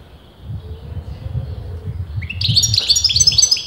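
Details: European goldfinch of uncertain sex, argued over by breeders, opening with a rising note and then a quick, bright series of tinkling twitters. A steady low rumble runs underneath.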